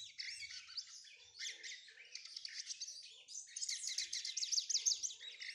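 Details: A lined seedeater (bigodinho) warming up its song. It gives fast, high, twittering phrases of rapid buzzy and whistled notes, growing louder and denser toward the end, with no other clear sounds.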